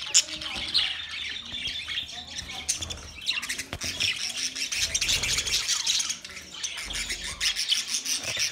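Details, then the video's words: Budgerigars recorded 13 March 2024, a dense flock of bright chirps and scratchy warbles layered continuously, with a few soft low thumps near the middle. "Beautiful Australian Parrot sounds Budgie Sound"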